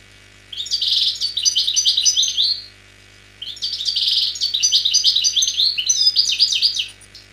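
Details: Wild Algerian European goldfinch, song recorded in 2003, in two bursts of rapid, tinkling twitters and buzzy trills, each about two seconds long, with a brief pause between them, over a faint steady low hum.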